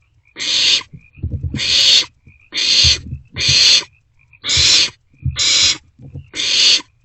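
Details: Nestling barn owls sharing a vole in a nest box in the early hours of 27 March 2024; rapid series of seven harsh hissing screeches roughly once a second, with low bumping and scuffling sounds in the gaps.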